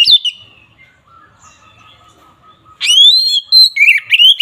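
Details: Oriental magpie-robin (kacer) in ngeplong fighting song meant to anger opponents: a brief whistle, a faint steady tone through a quiet gap, then loud rising whistled phrases broken by quick chirps.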